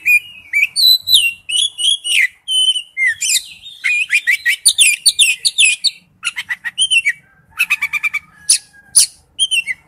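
An Oriental magpie-robin sings a fast, varied stream of clear whistles, sweet slurred notes and buzzy chatters. The phrases follow each other with barely a pause.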